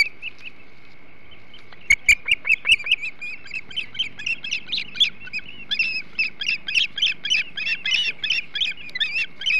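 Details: Osprey calls during a flounder meal at the Hog Island nest, 08.05 on 21 July 2016: near silence with a faint steady hum, then a burst of sharp chirps, then a long run of quicker, rising squeals.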